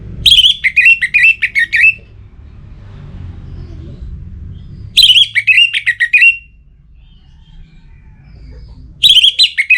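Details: Orange-headed thrush singing to draw a rival, in breeding mood: loud phrases of rapid twittering whistles, each about two seconds long, repeated roughly every four to five seconds, with low rumble between.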